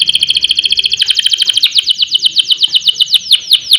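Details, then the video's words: Canary in full song, used as a tutor and trigger recording for other canaries. A continuous rapid high roll of repeated notes, slowing slightly into distinct downslurred chips toward the end. "Kenari Gacor Ngerol Nembak Mantap Buat Masteran dan Pancingan"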